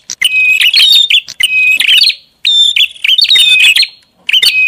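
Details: Prinia luring call with loud twittering bursts of chirps and a clear whistled note, phrases separated by short gaps.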